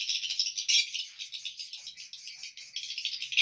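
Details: Many swiftlets chattering inside the hatching room of a swiftlet house with high-quality nests: a thick, rattling mass of high chirps with no pauses, ending in a sharp click.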